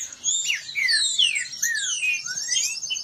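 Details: Short stretch of rivalry singing by kept green-winged saltators, with clean downward-gliding whistles and rising slurs crossing each other in quick succession.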